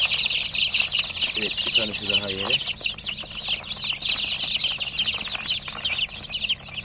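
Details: Newly hatched chickens, many chicks peeping together in a dense, continuous chorus of high, arched cheeps overlapping rapidly; a man's voice speaks briefly in the background.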